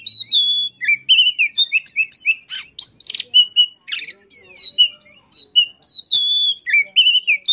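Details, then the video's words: Oriental magpie-robin song, loud and continuous: rapid varied whistled notes, slurred rising and falling phrases with occasional harsh rasping bursts, sustained without pause. "Kacer Volume Josssss....."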